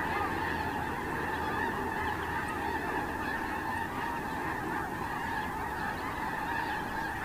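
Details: Continuous honking of a large snow goose flock at Terranova, Monday 9 October 2017, countless overlapping nasal calls merged into a constant roar, with some low rumble underneath.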